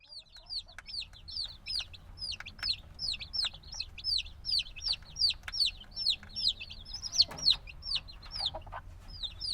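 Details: Noisy chirping of black chicks hatched a few days ago, still needing warmth from the mother: a dense run of high, downward-curving peeps repeated about two or three per second, several birds overlapping.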